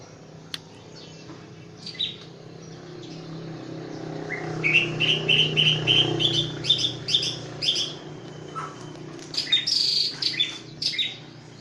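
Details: White-rumped shama from Aceh, a competition-winning bird: after a quiet start, a fast run of high, sharp repeated chips and trills, followed by bright ringing whistles, over a steady low hum.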